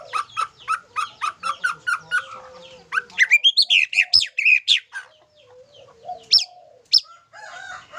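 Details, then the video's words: White-rumped shama song with isian filler phrases: a steady series of repeated short chirps, then a rapid loud outburst of sweeping whistles and chatter, ending in scattered sharp notes. "Suara Burung Murai batu dengan Isian mantap"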